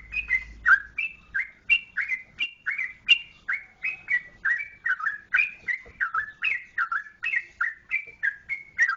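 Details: Sooty-headed bulbul from Yogyakarta, Indonesia, singing a steady run of short bright whistled phrases, each a quick two- or three-note rise and fall, repeated about twice a second without pause.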